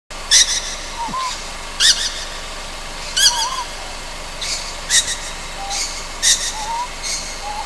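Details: Juvenile Ryukyu scops owl at night on Amami Ōshima: soft, low wavering whistles recur every second or so, mixed with loud, sharp high-pitched rasping bursts at a similar pace.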